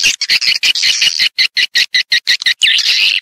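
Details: Swiftlets calling on a lure track meant to draw them into farm houses for nesting: sharp, high chirps pulsed rapidly, about two to three per second, separated by short clean gaps, ending in a longer twittering run.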